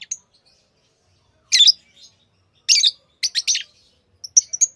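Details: Tame lovebirds give loud, grating high chirps in bursts, a quick triple squeak, then soft thin twittering notes, in a quiet indoor setting.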